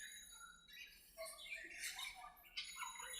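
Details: Budgerigars talking to each other in an aviary: quick, bright, rising and falling chirps and squeaky warbles tumble together without pause, with a faint steady high tone behind them.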